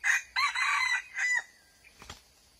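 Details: Red junglefowl recorded during wild junglefowl trapping on 6 March 2020, giving a loud crow of three harsh, strained bursts over about one and a half seconds, the middle one longest, followed by a faint thump and quiet background.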